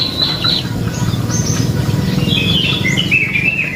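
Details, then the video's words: Prenjak lumut (prinia) song used as a lure for birds: bright whistled phrases, then a quick run of descending and warbled high notes near the end, over low background rumble. "Suara Burung Prenjak Lumut | Pancingan Prenjak Lumut Isian Sekali Denger Langsung Nyaut"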